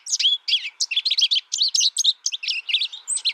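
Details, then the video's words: Brief phrase of high, lively chirps and rising and falling slurred notes, packed closely together, from a young American goldfinch raised without other birds and taught by a tutor recording. "My American Goldfinch sings a tutor calling birds, goldfinch excitation to sing,goldfinch chirping"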